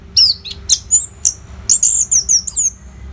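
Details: Orange-headed thrush (anis merah), a caged bird's song used to train competition birds, from Bali: rich varied phrases of sharp high whistles and slurred notes, mostly downslurred, in quick bursts with brief gaps, over a quiet low hum.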